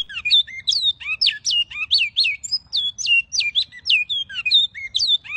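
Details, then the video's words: Great-billed Seed-finch (bicudo), a Brazilian songbird, sings a fast, unbroken run of clear, varied whistles, rising and falling slurs at a rapid pace, against a quiet background. "Canto número 5, Bicudo. Canto"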